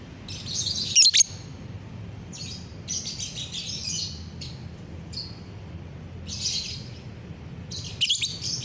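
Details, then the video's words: Lovebird on a bright morning, 30 November 2021, giving scratchy high-pitched chirp bursts, a loud sharp note near one second and another near eight seconds, separated by short pauses, with steady low hum behind. "pagi yang cerah buat GACORAN LOVEBIRD"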